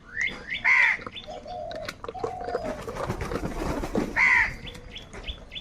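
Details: Crows fighting for food: two loud, harsh, nasal caws, each about a third of a second, about three seconds apart. Many short, high chirps from other small birds fill the gaps.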